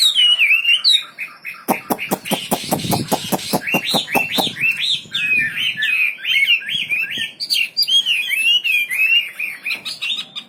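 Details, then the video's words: Wambi bird singing in full gacor style: a warbling whistle, then a loud rapid rattle of clicks for a few seconds, then a steady stream of bouncing, looping whistled notes. "Burung wambi istimewa gacor full"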